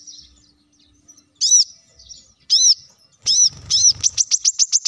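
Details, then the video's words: Plain-throated sunbird singing steadily to lure other birds into song: arched, shrill notes, then a fast burst of about eight short repeated high chirps at the end, and soft low bumps. "kolibri kelapa | manggar | wiceh | masteran untuk burung ijoan agar cepat bunyi gacor"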